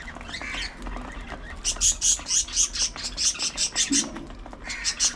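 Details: Budgerigars in a group give a fast run of about a dozen bright, evenly spaced high chirps after a brief low warble, each note short and piercing.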